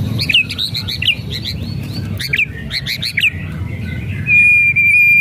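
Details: White-rumped shama whistles and rattles used to provoke a silent bird: quick bursts of bright, bouncing chirps in clusters, ending in a long, steady, pure whistle.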